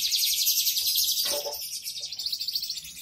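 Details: Domestic canary in full gacor dor song, delivering a dense unbroken high-pitched rolling trill that softens toward the end, with a brief lower rustle in the middle.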